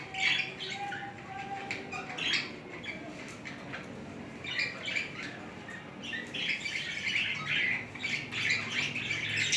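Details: Budgerigar pair courting and mating. Irregular warbling chatter of high chirps and scratchy squawks comes in clusters, louder toward the end, over low background hum.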